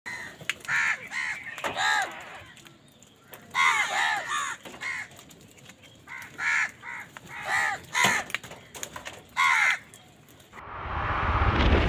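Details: Crows calling in anger while fighting wild birds over food: a flurry of harsh, rasping caws in bursts, several birds overlapping, with short pauses between volleys and a rushing noise at the end.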